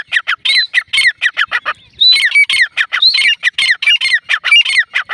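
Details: Female grey francolin gives a loud, harsh run of squawking notes, several each second, pitched fairly high and rasping, with only brief pauses between bursts.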